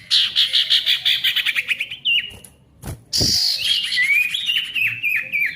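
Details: Ashy tailorbird in loud song, used to get silent tailorbirds singing: a fast stutter of dry chips, a thump and short pause, then slurred whistles stepping downward.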